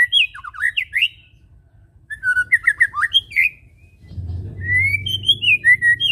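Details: White-rumped shama song played as a lure to get other birds singing: varied rich whistled phrases with quick slurred notes, a pause, then rising and falling whistles over a low rumble.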